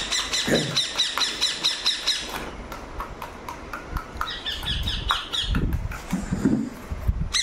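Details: Pet ringneck parrot: long bursts of rapid, rasping squawks, a fast even series followed by a looser, softer run, with handling thumps and a person's voice in the background.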